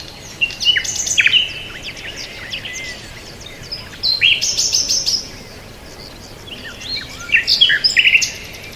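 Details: Three separate bursts of bird chirping, each a jumble of high, quick notes and brief trills, divided by quiet gaps with steady faint hiss.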